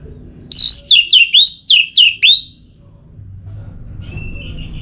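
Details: Song of an orange-headed thrush meant to spur singing: a quick series of seven bright, high whistles that each swoop downward, followed by quiet and a faint, thin, wavering whistle, over a low hum.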